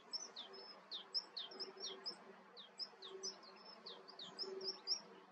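A melodious warbler pours out a fast, high, chattering warble of quick twittering notes, with a low insect-like hum beneath.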